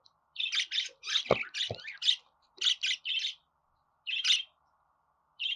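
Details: Busy run of scratchy budgerigar chirps, often in pairs, packed closely at first with two low knocks among them, then spacing out toward the end.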